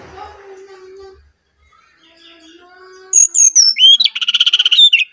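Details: Brown-chested jungle flycatcher from Bali, lure song: after a quiet start with low tones, a rapid phrase of descending whistles turns into a fast buzzy trill of repeated notes.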